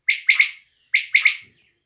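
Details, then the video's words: In Pakistan, a female quail (batair) in a small-hunting setting calls twice, each time a quick triplet of loud, bright chirps that fade out. The background is otherwise quiet apart from a faint soft thud after the second triplet. "batair ki awaz || quail sound"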